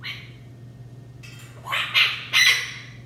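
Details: Pet macaw at home letting out three loud, harsh, raspy squawks in quick succession after a quieter stretch, each burst rough and broadband; faint low hum in the room.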